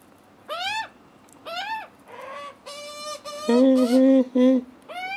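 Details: Screaming juvenile magpies begging on a first visit, the cautious father present. A string of harsh arched squeals, then lower, rougher grating notes overlap in the middle before the shrill squeals resume.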